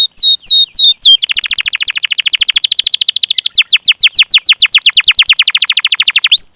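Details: Canary song, long chirps used to prompt other canaries: a few looping whistles, then a long fast trill of evenly repeated clipped notes lasting several seconds, closing with an upslurred whistle.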